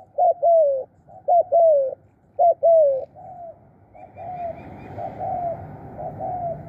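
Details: Spotted dove used as a decoy bird, giving khrun coos: three loud close pairs of short and falling long notes, then quieter distant coos with faint chirps and rising background noise.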